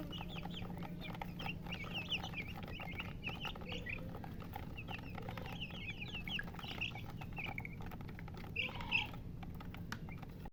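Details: Young chickens peeping continuously: bright, thin chirps slurring downward, delivered in quick overlapping bursts by several chicks, one louder chirp near the end, over faint low background noise.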